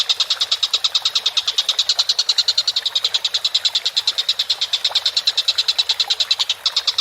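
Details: Tutor recording of a collared kingfisher (tengkek buto) calling energetically: an unbroken stream of rapid, clipped high-pitched notes repeated steadily for the full seven seconds, loud and slightly uneven in rhythm.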